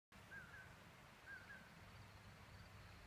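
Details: Common poorwill at Page Springs Campground, Malheur NWR, giving soft, low whistled two-note phrases about once a second, faint over a steady low rumble.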